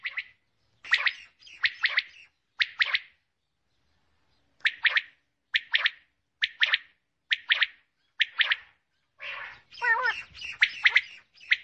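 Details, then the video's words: Repeated buzzy doublets from a female common quail, about one phrase per second with a pause midway, ending in a denser, louder jumble of notes. "Female Batair Ki Awaz| Common Quail"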